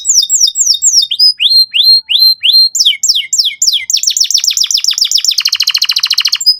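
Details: Canary song for young canaries learning to sing. Loud repeated swooping whistled notes at first, then faster tumbling slurs that speed into a dense rolling trill at the end.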